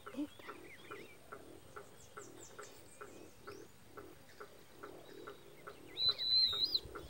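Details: A wattled jacana with its large chick at a lake or river margin gives a steady run of short, harsh clucking notes, about three per second, with thin whistles from another bird near the end.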